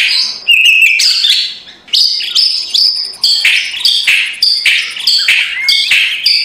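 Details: White-rumped shama song as a morning provoking lure: a rapid string of bright whistled phrases, each starting high and dropping, repeated roughly every half second with short rasping accents.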